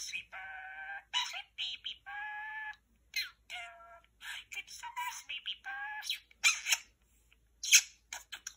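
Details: Talking male parakeet indoors repeating favourite phrases, chatting to a lamp: clear bursts of mimicked speech with steady harmonic tones, interspersed with sharp high chirps and clicks, in a small quiet room.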